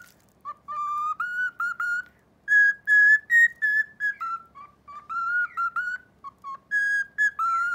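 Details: A pet male cockatiel practising the children's song "Momotaro" he is being taught whistles in clear, pure notes, stepping up and down in short phrases; Cockatiel.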